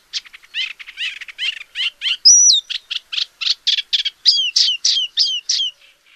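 A Paddyfield Warbler sings a fast, continuous run of scratchy chattering notes mixed with high, clear slurred whistles, lasting about six seconds with no other sounds.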